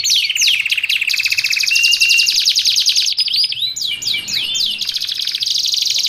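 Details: Canary singing a long unbroken phrase for training and luring canaries, shifting from steady buzzy trills and a brief whistled note to quick falling chirps and sharp swooping notes.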